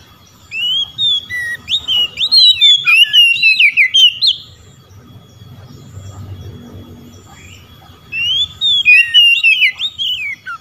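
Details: Oriental magpie-robin calling rival birds with ngeplong-style song: two long bursts of fast, warbling, whistled notes rising and falling in quick succession, separated by a pause of several seconds with faint low background rumble.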